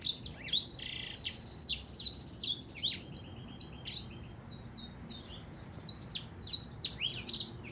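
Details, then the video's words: Black-throated canary singing a fast, continuous stream of high, sweet twittering notes and trills, with quick slurred chirps packed closely together. "黑喉燕 Black throated canary singing"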